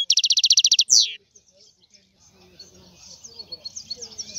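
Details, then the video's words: European goldfinch singing: a rapid run of about a dozen high, even notes, then one loud downward-sweeping note, followed by faint scattered twittering. "لا يمكنك ان تسمع اقوى من غناء هذا الحسون"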